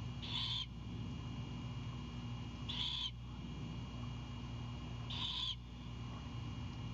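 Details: Great horned owlet at a Savannah nest, 4/7/22 at night, greeting its mother arriving with an Anhinga: three rough, hissing screeches about two and a half seconds apart, each half a second long, over low mechanical hum.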